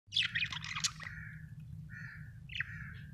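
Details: Small parrot chirping: a burst of bright, scratchy chirps at the start, then several drawn-out, buzzy mid-pitched notes with short gaps, over a low steady hum.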